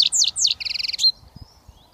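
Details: Young European goldfinch in Britain starting to whistle: three looping, liquid sweeping notes, then a rapid buzzy trill of about ten pulses ending in a sharp upward flick and a faint thin whistle.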